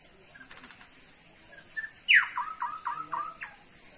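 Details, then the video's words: Cucak pantai, a Papuan bird also called penghisap mayang, giving a short loud phrase: a sharp high note sweeping down into a rapid series of four or five repeated falling whistled notes, with faint chirps before it. "cucak pantai gacor"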